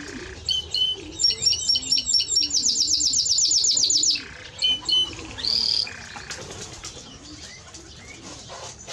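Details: Timbrado Español canary with a clipped series of paired notes leading into a fast metallic trill lasting about two seconds, then a short whistle before the song fades.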